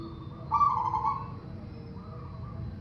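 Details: Zebra dove coo meant to trigger singing in other doves: one strong burred, trilling note followed by a faint softer trailing note, against a steady low hum.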